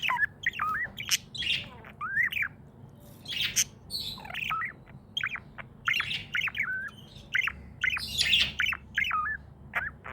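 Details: A happy, tame budgerigar chatters steadily. It makes bursts of bright curling whistles and harsh scratchy notes every half second or so, with brief pauses between the phrases and a low steady background hum.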